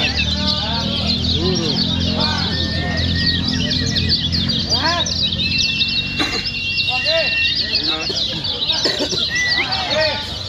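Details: Lombok lemon-bellied white-eye (kecial kuning), contest song used to provoke other white-eyes into singing: a fast, dense run of high twittering chirps and short trills, with a steady low hum and a faint voice beneath.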